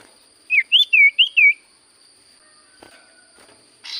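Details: Common Iora singing: five loud whistled notes in quick succession, each bending down then up, followed by quiet clicks and a short rustling burst, over a faint steady high-pitched electronic tone.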